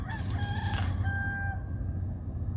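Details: A rooster crowing in an urban city environment, one of several roosters around, gives a single drawn-out, harmonic crow lasting about a second and a half over a steady low rumble of city traffic.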